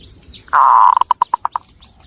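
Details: Javanese zebra dove from Cilacap, Central Java: one phrase of a sustained coo dropping into seven short, even staccato notes, with faint high chirps of other birds in the background.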